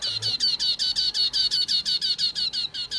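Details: Wambi lure call meant for luring: a fast, steady chatter of buzzy high notes, roughly five per second, each slightly falling, continuing without a break.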